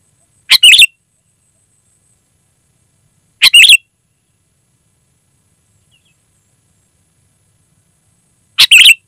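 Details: Sooty-headed bulbul singing clearly, used as a call for wild birds: three lively multi-note phrases spaced three to five seconds apart, over a faint constant high whine.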